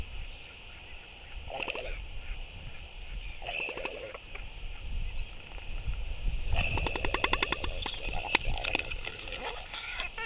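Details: Four northern royal albatross, non-breeding birds seeking mates, practise courtship displays on 23 October 2023 at evening; short bursts of buzzy pulsed calling build into a longer loud rattling sequence near the end, over constant wind.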